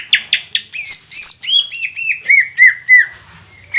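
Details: Green leafbird song used to trigger rival birds: a few sharp clipped notes, bright high slurred phrases, then a regular series of arched whistled notes drifting lower in pitch.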